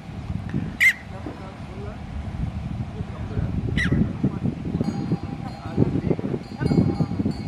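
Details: A Red-billed Chough (Pyrrhocorax pyrrhocorax) in snow at 3000 m altitude in the Uttarakhand Himalayas gives two short, harsh, ringing calls about three seconds apart over steady wind rumble, with a faint high tone near the end.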